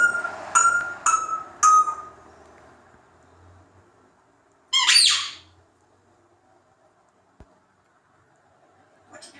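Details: A captive African grey parrot indoors imitates a xylophone with three ringing, evenly pitched tones about half a second apart, then a harsh squeaky burst like a squeak toy; near silence follows, ending with a faint squawk.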